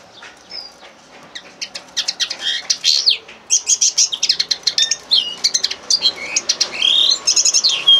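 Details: Song of a common linnet: quiet start, then a lively sequence of rapid clicking trills, twittered phrases and brief whistled slurs, delivered in quick bursts with short gaps.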